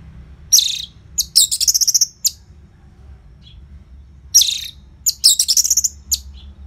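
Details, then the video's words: Orange-headed thrush, a caged bird song used to prompt other caged birds to sing, from northern Bali: two loud bursts of rich whistled and rapidly trilled phrases, high and varied, repeated after a pause of about two seconds, with faint low hum beneath. "Pancingan & Masteran ANIS MERAH Gacor Jeda Rapet Suara Keras"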